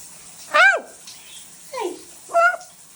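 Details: Chatty female pet macaw vocalizing: three short, loud, harmonic, arching syllables about a second apart, the middle one lower and buzzier, over a quiet room background.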